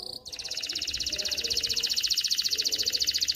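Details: Male canary song used to teach young birds to sing and ready females for mating: a brief note, then a fast, even, high trill of buzzy pulses that swells slightly in loudness.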